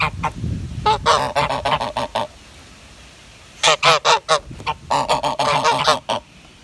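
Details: Grey goose giving loud nasal honks in two bursts of rapid, repeated calls, harsh and broad with stacked harmonics, separated by a quiet gap of a second and a half.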